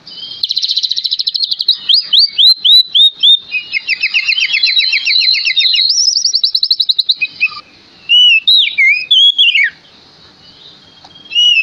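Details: Lure song of an energetic male Oriental magpie-robin meant to set other magpie-robins singing: long runs of fast chattering trills at a high pitch, then a pause and a few sharp, swooping whistled notes.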